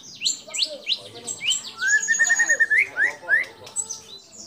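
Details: Lively white-rumped shama song with borrowed calls of kapas tembak, cililin, lovebird and canary: upswept whistles, a sustained buzzy middle note, then more rising whistled slurs.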